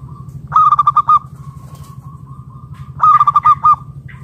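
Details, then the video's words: Local zebra dove cooing to lure other doves into calling: two bursts of loud, rapidly repeated pulsed notes about two and a half seconds apart, linked by a soft sustained tone, with low steady hum beneath. "Perkutut lokal gacor RAJA PIKAT Ahlinya Bikin Semua Burung Perkutut Gacor Nyaut"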